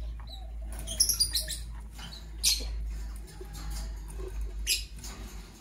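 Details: Morning chirping from Parblue Violet Fischer's and Pastel Green Opaline lovebirds: quick clusters of bright, high, scratchy chirps, a run of three early, then single notes spaced apart, over constant low background hum.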